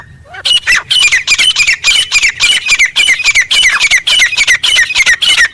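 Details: Grey francolin calling in the wild in jungle: loud, harsh, high squawking notes given in a rapid, slightly uneven run, each with a sharp upward-then-falling inflection, continuing steadily across the clip.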